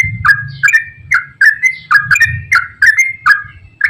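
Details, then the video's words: Straw-headed bulbul singing the rapid long 'gacor ropel' style used as a lure for reluctant singers: bright warbled phrases about every third of a second with upward flicks, over low rumbling background noise. "KICAU TRUCUKAN GACOR ROPEL PANJANG AMPUH UNTUK PANCINGAN TRUCUK SUSAH BUNYI"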